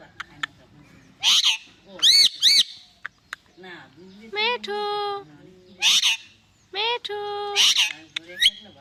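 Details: Indian ringneck parakeet, a pet talking parrot, mixing speech-like phrases with arched whistled notes, sharp clicks and drawn-out nasal harmonic tones, repeated in several bursts.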